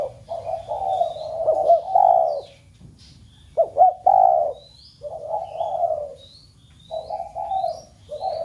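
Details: Cooing of a spotted dove meant to spur other home-kept doves to coo: low, throaty coo phrases separated by pauses of about a second, with bouncing accented notes and faint high whistled chirps from other birds.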